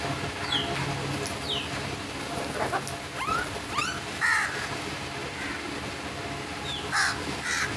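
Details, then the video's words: Several crows cawing in rough, nasal, harmonic bursts, some short and clipped and some drawn out, over steady background hum with faint high chirps from another bird early on. "Crow birds crowing sounds and loud noise"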